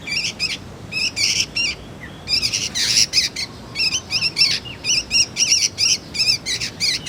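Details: Juvenile sooty-headed bulbul, kept as a lure and tutor for magpie-robins, giving rapid harsh chattering calls with stacked buzzy notes, some with warbling inflections, in quick bursts and occasional short whistles.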